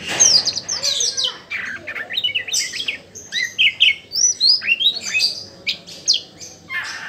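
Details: Oriental magpie-robin, a kept songbird, in full song: continuous rapid varied phrases of clear whistles, sweeping slurs and scratchy chirps, loud and high, with phrases repeated several times a second and no other sounds.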